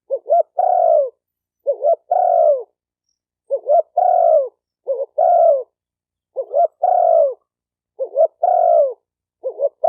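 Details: Spotted dove calling to rouse males and females. A steady series of phrases: a short double rolling note, then a drawn-out coo sloping downward, repeated about every one and a half seconds with no other sounds.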